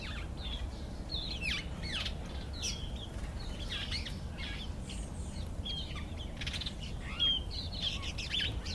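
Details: Karoo thrush showing off for females, pouring out quick varied chirps, slurred whistles and short scratchy notes in a steady stream, a louder clear whistle near the end, over low background rumble.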